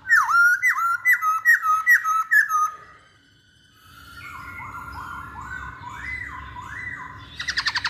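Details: Masked laughingthrush lure song opening with a fast, regular train of sharp dipping notes, then quieter rising whistles and a final burst of rapid chatter.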